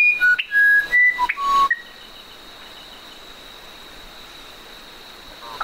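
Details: Musician wren giving a short burst of five or six pure whistled notes at shifting pitches, then falling silent, leaving only a steady high hum in the background.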